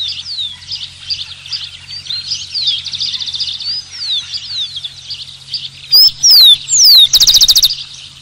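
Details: Rufous-collared sparrow, or tico-tico, sings three slurred, falling whistles and a quick, rattling trill toward the end, after a long stretch of busy, high-pitched chirping from many birds.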